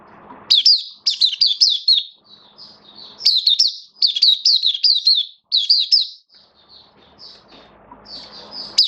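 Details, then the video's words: Caged hobby oriental white-eye on 11 September 2022, form slightly down, pouring out near-continuous high chirps that sweep downward, in several runs, softer notes trailing off between them over a faint hum. "Mata Puteh Kitaro Buka Sing"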